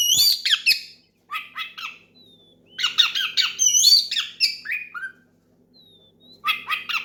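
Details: Oriental magpie-robin calling a rival with loud song, to get other magpie-robins singing: grating, squawky bursts in clusters with short gaps and a couple of faint thin whistles.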